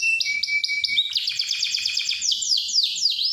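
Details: Singing canary used to coax young canaries into song: a steady whistled tone, then fast buzzy rolls and a run of clear down-slurred chirps, all high-pitched and unbroken.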